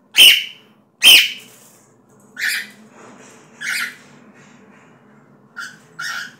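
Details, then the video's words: A cockatiel sings with six sharp, screechy notes over about six seconds: two loud ones open, then softer, shorter ones follow at an uneven pace over a faint low hum. "O Canto da calopscita"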